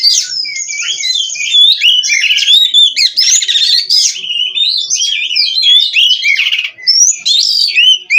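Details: Oriental magpie-robin (kacer), bred in captivity in Cirebon, pours out nonstop song: a steady buzzy trill, then quick whistled upslurs, rattles and chattering phrases in rapid succession.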